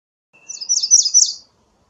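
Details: A single rapid, high, jumbled phrase of thin chipping notes from an American redstart, lasting about a second, with a faint lower whistle underneath.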